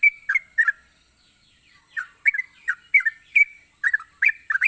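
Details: Yellow-vented bulbul singing energetically: short bubbly, gurgling two- and three-note phrases, some slurred and whistled, in bursts with a pause in the middle; a steady high-pitched whine runs throughout.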